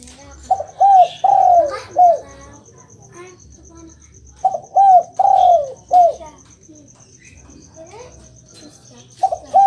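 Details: Spotted dove cooing meant to get a quiet kept dove calling back: two full phrases of four low coos, the third drawn out and throbbing, about five seconds apart, with scattered chirps of other birds and a constant high tick.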